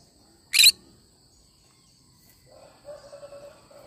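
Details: Cinnamon green-cheeked conure giving a single short, loud, harsh screech near the start, then quiet with faint low murmuring sounds toward the end.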